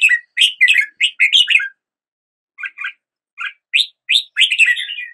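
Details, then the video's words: Red-whiskered bulbul singing: bursts of bright warbled, slurred notes between two and four kilohertz, a quick chattering phrase, a pause, then short rising whistled notes building into another rapid phrase. "Red whiskered Bulbul Song"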